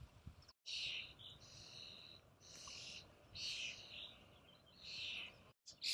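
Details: Common starling recorded on 18 June 2018, giving a run of harsh, hissing, wheezy bursts, each under a second long and repeated roughly every second with short gaps, over a faint low background hum.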